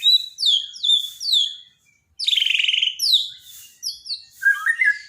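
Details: Bornean white-rumped shama in a daily training recording for birds that stop singing: bright downward-sliding whistles and a harsh rattling trill, after a short silence, followed by more falling notes and lower chattering phrases.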